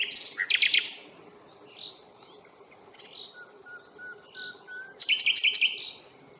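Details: Common nightingale in song at Fingringhoe reserve on 1 May, recorded on a Panasonic Lumix FZ82: loud bursts of harsh, rattling trills open and close the passage, with softer scattered chirps and a thin drawn-out note between them.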